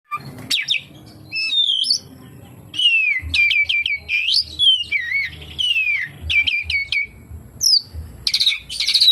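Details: Oriental magpie-robin singing a song packed with kapas tembak imitations: bright whistled notes, quick falling slurs and rising sweeps in short bursts, ending in a buzzy, scratchy phrase.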